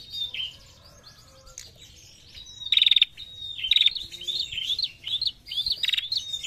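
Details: Female prinia calling steadily in the 'narung' style: thin high chirps and short rapid stuttering trills, with brief sliding whistles between bursts.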